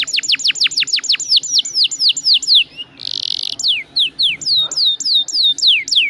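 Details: Canary song used as a lure: strings of loud, rapid downward-sweeping notes, interrupted by a short harsh buzzy rattle, then more spaced descending whistles.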